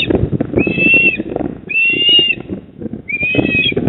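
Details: Eastern osprey at a nest in Port Lincoln, South Australia, 28 October 2024 at 19:26: thin slightly rising whistled notes about half a second long, three in four seconds, over loud low wind rumble.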